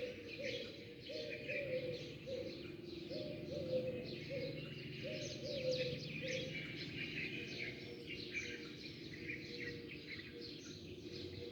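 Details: Sparrows chirping at dawn, many birds arriving and leaving: a dense, overlapping stream of short, bright chirps and twitters, with a low cooing phrase repeated about every two seconds underneath.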